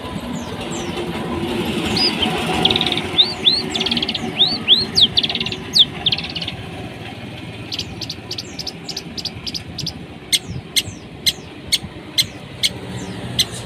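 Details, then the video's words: Long-tailed shrike giving harsh masteran-style song, used as a lure to get a silent shrike singing: scratchy rising chirps and buzzy notes, then a run of sharp, evenly spaced ticks, over a low rumbling background. "Cendet gacor ful masteran materi kasar || PANCINGAN CENDET MACET BUNYI"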